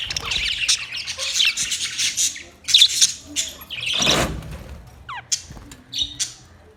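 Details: Budgies chirp in scratchy, buzzy high phrases with sharp clicks, a loud broadband burst midway, then short rising whistled notes near the end.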